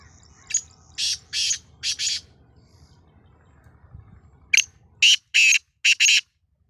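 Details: Black francolin calling in Sindh, Pakistan, likely a caged bird: loud harsh grating phrases of several buzzy, broadband notes, a first series then a pause and a second sharper series, over quiet background hum.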